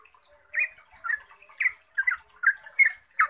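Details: Yellow-vented bulbul lure song for training caged bulbuls, a short series of rich gurgling notes spaced about every half second after a quiet start.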